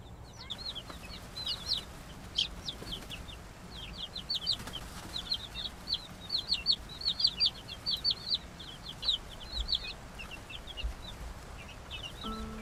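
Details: Chicks of laying hens in a freshly finished pallet-wood coop. They keep up a continuous chorus of thin, high, descending peeps, overlapping and irregular, above low background rumble.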